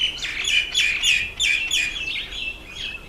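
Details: Red bishop in breeding season: a rapid run of harsh, buzzy chirps, roughly three per second, that fades slightly toward the end, with little else audible.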